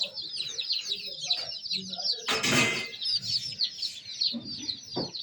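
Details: Flock of little chicks giving high, sweet, rapidly repeated chirps while interacting with their surroundings; a loud rustling burst cuts in for about half a second mid-way.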